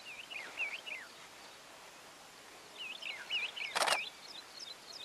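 Painted francolin giving squeaky, wavering high notes in two short bursts a couple of seconds apart, with a sharp click-like crack between phrases.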